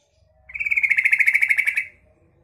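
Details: Female yellow-vented bulbul calling to lure males: one buzzy, rapidly pulsed churring rattle, steady in pitch, lasting about a second and a half, in quiet surroundings.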